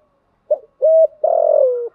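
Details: Female spotted dove used as a lure, gáy gọi style: a quick low note, a steady clear coo, then a long, slightly buzzy coo that slides down in pitch.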